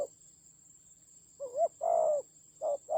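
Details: Spotted dove decoy in a fierce fight, Central Highlands forest, Vietnam, 19 October 2020: after a pause, a wavering coo and a long low coo, then a short coo starting another pair, above a constant high whine.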